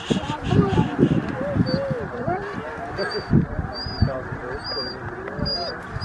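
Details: Snow geese massed at Middle Creek Wildlife Management Area in Stevens, Pennsylvania, USA, on 26 February 2023. A busy chorus of short, bending honks and yelps, repeated loudly and overlapping throughout.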